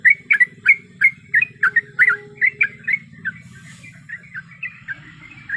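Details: Sooty-headed bulbul female in breeding condition calls to a male with loud, quick chirping notes that fade and grow softer toward the end, a low droning hum behind.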